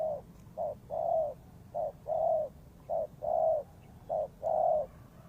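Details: Spotted dove used as a trapping lure gives soft, low coos alternating short and long, each short note followed by a fuller drawn-out coo, in a steady rhythm.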